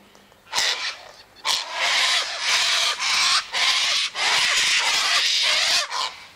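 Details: Loud, drawn-out grating screeches, one after another with brief gaps, from a sulphur-crested cockatoo feeding on a sunflower seed, wheat and birdseed mix by an eastern gate.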